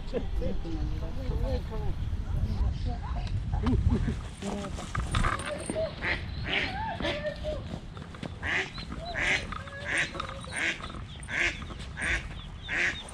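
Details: Eastern spot-billed duck mother with small ducklings, moving early in the morning when two ducklings were attacked by a cat; after a stretch of human talk, loud harsh quacks repeat in bursts about once a second.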